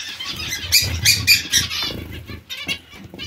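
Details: Zebra finches in a colony give quick bright nasal calls, about two a second, clustered near the middle, with muffled wing flutters and rustling beneath.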